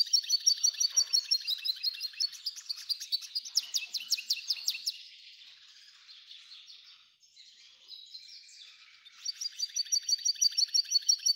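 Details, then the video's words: F1 hybrid goldfinch, described as singing a lot, delivering a fast, high twittering song of rapid buzzy trills and chirps, pausing for several seconds mid-phrase with only soft twitters before the rapid trilling resumes. "Belo canto do F1"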